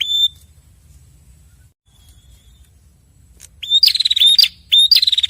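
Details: Male and female red-headed prinia answering each other: a thin high whistled note opens, then after a pause two bursts of rapid, buzzy, high-pitched trilled chattering, each about half a second long, with soft low background rumble.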